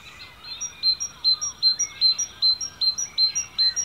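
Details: In Cornwall's ancient woodland, UK, a nearby bird sings a fast, even string of piercing high notes, roughly two or three per second, with quieter birds chirping and whistling behind.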